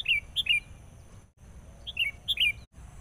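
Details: Agitated sooty-headed bulbul decoy confronting a rival during bird trapping, giving quick clusters of sharp, slurred, downward chirps in two bursts about two seconds apart, with faint steady background noise.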